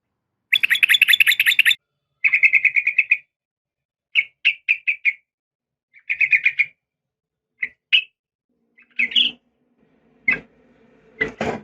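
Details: {'caption': 'Female yellow-vented bulbul calling a male with a dense chattering trill, then shorter chirp bursts and single notes, ending amid a few louder knocking sounds.'}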